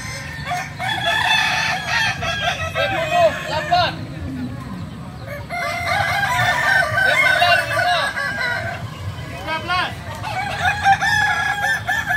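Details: At a kukuak balenggek training competition at AMKO, bursts of many overlapping crows with wavering, repeated syllables come in two waves separated by a quieter gap, over a steady low hum.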